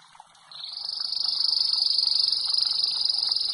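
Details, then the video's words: Canary (Serinus canaria) singing as a training bird: after a brief quiet start, a sustained, very fast high buzzing roll sets in and holds at one steady pitch, with a fainter higher band above it. "Bird song | Canary singing| training bird | best canary | Serinus canaria"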